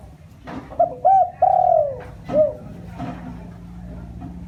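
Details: Spotted dove cooing as a lure call to excite a decoy bird: a short coo, a doubled coo, a long drawn-out falling note, then a final soft coo, with clicks and knocks in the background.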